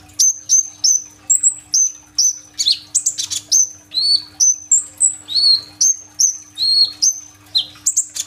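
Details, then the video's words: Phone recording of a kolibri ninja sunbird singing hard in the tembakan isian roll style, meant as a lure for immature green-plumaged birds: thin high whistles, each dropping slightly, repeated about twice a second, with some harsher lower swooping notes. "BURUNG KOLIBRI NINJA GACOR FULL TEMBAKAN ISIAN ROLL TEMBAK ! AMPUH BUAT PANCINGAN KONIN BAHAN IJOAN"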